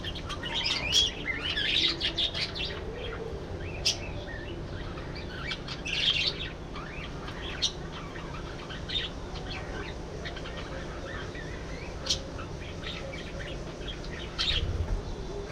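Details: Budgerigars in a colony aviary warble and chirp in a continuous, scratchy chatter of quick high notes.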